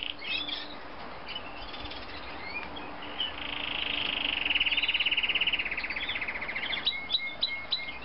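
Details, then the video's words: A Yorkshire canary sings high scattered chirps, then a loud, rapid rolling trill for about three seconds, ending in sharp repeated notes over a faint low hum. "kicau kenari yorkshire gacor banget"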